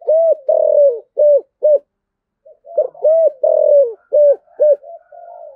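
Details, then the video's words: Spotted dove delivering 'giọng thổ' style song: two loud phrases of round, hollow coos, each a long slurred note followed by short clipped ones, separated by a brief pause; quiet setting, nothing else audible. "tiếng cu gáy giọng thổ cực đỉnh/ cu gáy giọng thổ sấm"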